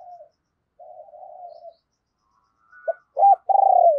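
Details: Decoy spotted dove urging and cooing to lure wild doves. Soft, hoarse drawn-out notes separated by silence build to loud, arched, throaty coos at the end.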